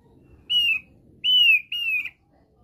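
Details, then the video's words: Thick-billed white-eye from Nusa Tenggara Timur (NTT), Indonesia, giving its basic song (kicau dasar): three clear whistled notes near the same pitch, each sliding slightly downward, separated by short pauses, in a quiet setting. "KICAU DASAR OPIOR PARUH TEBAL (OPIOR NTT)"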